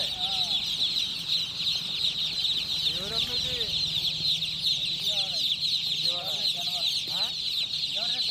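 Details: Constant high cheeping from a crowd of chicken chicks, dense and shrill, with men's conversation breaking in at intervals across the recording.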